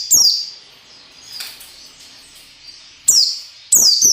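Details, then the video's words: High, thin, descending whistled notes of a white-eye in the 'ngalas nembak' singing style, meant as training audio for captive birds; one sweep opens the clip, then a quiet gap, then two sharp sweeps near the end. "SUARA PELECI NGALAS NEMBAK SERTANDAR"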